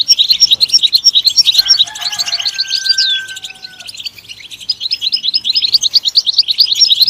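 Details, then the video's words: European goldfinch song, bright rapid twitters and trills, with a steady, sustained lower tone heard faintly in the first half while the bird keeps singing. "Comprehensive guide to stimulating and singing the goldfinch"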